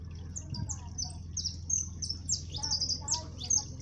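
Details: Siskin, called jilguero amarillo, singing its 'máquina' style song up close on a cold day: a fast run of high, downward-slurred whistles and twittering notes, several per second, over a constant low background hum.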